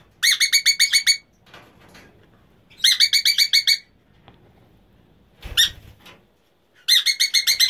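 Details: A breeding pair of Emma's conures give harsh, rapid screeching bursts of about ten notes each, lasting about a second and repeated every few seconds, with faint rustling between.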